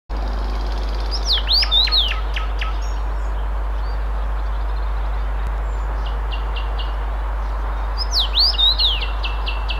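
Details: Common rosefinch (Carpodacus erythrinus), Tsaritsyno, Moscow, Russia, May 2021: two short phrases of clear, slurred rising-and-falling whistles several seconds apart, with a few thin notes between, over a steady low hum.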